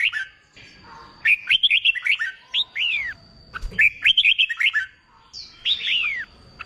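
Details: Newly caught red-whiskered bulbul in singing-contest training, pouring out lively phrases of rolling whistled notes ending in long downward swoops, repeated three times with brief gaps.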